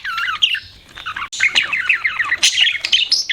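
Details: Budgerigars warble in quick chirpy notes repeated in a rapid bouncing series, with squeaky higher squeals mixed in.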